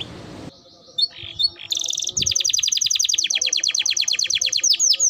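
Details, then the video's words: Timbrado canary opening with scattered high chirps, then a long, rapid rhythmic trill of repeated notes that slows into looping slurred whistles at the end. "Timbrado canary singing beautiful melody"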